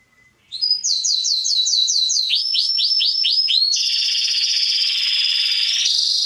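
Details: Atlantic canary song used to train young birds: a faint whistle, then a string of rising-falling looped notes, a lower series of curved notes, and a long sustained buzzing trill.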